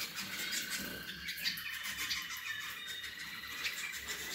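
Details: Roller canary from the Gheling line, singing a steady, unbroken rolling tone held at an even pitch throughout, with a fainter higher overtone, under constant scratchy clicking and rustling noises.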